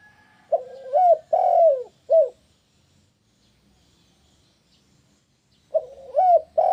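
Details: Spotted dove call used to get other doves to respond: a four-part phrase of low hollow coos with a rising middle note and a long falling note, a quiet gap of over three seconds, then the phrase begins again.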